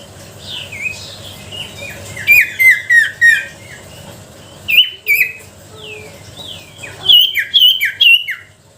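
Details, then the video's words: Sooty-headed bulbul song used to lure and provoke other bulbuls: quiet whistled notes punctuated by three loud bursts of quick, down-slurred chirps, around the second, fifth and seventh seconds. "Suara pancingan sirtu pikat gacor dor,sangat ampuh untuk memancing sirtu malas bunyi."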